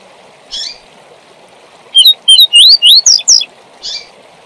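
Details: A double-collared seedeater sings the tui tui zel zel phrase used to train young birds, about eight quick whistled notes climbing and falling in pitch, opened and closed by a soft chip, over a hissing background.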